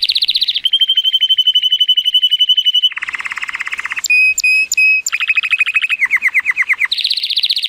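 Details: An 83-point Timbrado Español cock canary born in 2018 sings strongly on a sunny day, chaining fast trills and a long flat metallic tour, dropping lower, then clear separate whistled notes before returning to rapid rolls.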